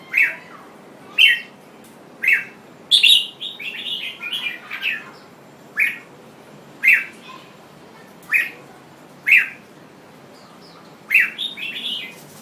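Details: Jambul bird singing: short, bright chirped notes repeated roughly once a second, broken by a brief warbled phrase of several quick notes near the start and again near the end.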